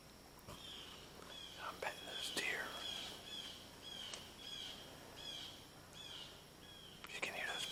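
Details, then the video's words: Blue jays call with runs of clear, downslurred notes repeated about every half second, in oak woods in Ohio on a deer hunt, a little after four in the afternoon; quiet whispered speech and faint woodland background underneath. "you can hear those blue jays i miss that sound"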